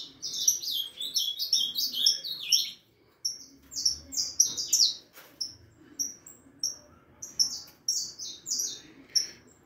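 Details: Four-and-a-half-month-old harlequin saffron finch singing steadily: dense bursts of high, bright chirps sweeping downward, then a looser series of short clipped notes spaced under a second apart, with faint low room hum underneath.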